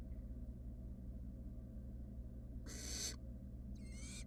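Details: Wild barn owl nestlings, three fluffy chicks in a monitored nest box, give two harsh, broadband hissing bursts near the end, the second with a faint rising whistle inside, over a steady low electrical hum.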